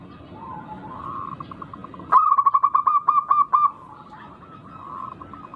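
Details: Local zebra dove in full song, kept as a lure to provoke rivals into calling. A faint soft coo leads into a loud burst of about ten clipped, stuttering notes, then fades back to quiet cooing.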